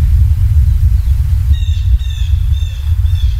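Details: Bald eagle on a Southwest Florida nest camera, 30 October 2022 at 11:17. A run of high, thin chirping notes repeats quickly for about two seconds over heavy, low wind rumble.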